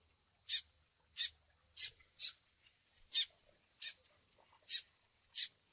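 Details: Chick peeping from a Double-collared seedeater pairing-training track. Sharp, explosive high peeps are repeated roughly every two-thirds of a second over faint hiss and a low hum early on.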